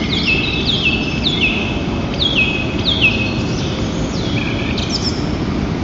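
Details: Loud calling of white-tailed eagles swapping incubation duty at a nest in Lower Kama National Park on 22 April 2023: a quick series of sharp, high, falling yelps, then a few thinner notes, with constant wind noise beneath.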